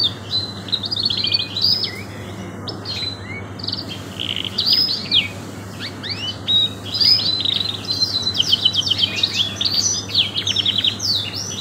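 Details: Long master song of a canary in the luxurious cengkok style: bursts of fast trills and sharp downslurred whistles, growing denser and more rapid toward the end, above a steady low hum.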